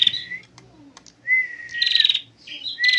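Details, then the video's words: Ngentir singing from a female prinia: a long clear whistle slides into a dense buzzing rattle, with a quieter gap between phrases and faint low background noise. "perjak betina full ngentir"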